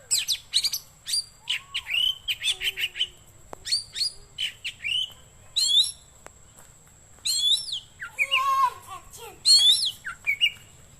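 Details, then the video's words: Oriental magpie-robin song offered for luring birds or tutoring caged birds at home; varied high whistles, slurred sweeps and harsh rattling phrases in quick bursts, with a faint steady high tone behind. "Suara Burung Kacer Cocok Buat Pikat / Masteran"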